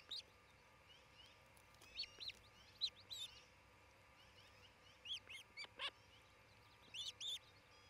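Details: Osprey pair at their nest near Charlo, Montana, on a nest camera, 27 June 2018, late morning: scattered short, high, slurred chirps in small clusters with quiet gaps, over faint thin whistles of other birds.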